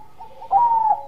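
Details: Perkutut Bangkok zebra dove (Geopelia striata) in full song gives a soft, mellow bekur coo, a short low note then a longer, slightly wavering one, in a quiet room; the coo is used to provoke rival doves to call back.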